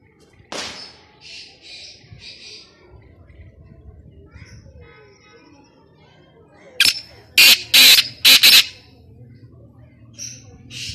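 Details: Black francolin heard during a hunt: a few faint rasping notes early on, then a burst of very loud, harsh, clipped grating notes close together near the end, over quiet background hiss.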